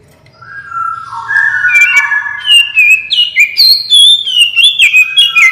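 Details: Oriental magpie-robin in full, lively song, played as a lure to make other birds respond: long clear whistled notes stepping upward, then quick varied whistled phrases with sharp slurred notes, loud and continuous.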